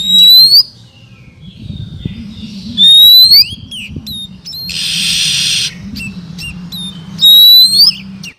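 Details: Female Oriental magpie-robin whistling to stimulate males: three loud, sharply rising whistles spaced about two to four seconds apart. A brief harsh hissing burst sounds midway, with soft chirps and a low hum throughout.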